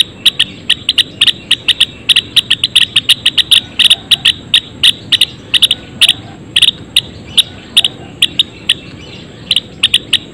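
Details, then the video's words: Several Java sparrows in a colony cage call over one another in a dense, uneven stream of sharp, high clicking and ticking notes, with a faint steady hiss behind. "Suara Kicauan Gelatik Belong"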